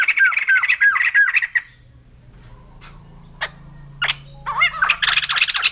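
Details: White-crested laughingthrush (poksay jambul putih): a quick series of four bright, hooked notes, then a quiet stretch with a low hum, then sharp squawks and a rising burst of raucous chatter.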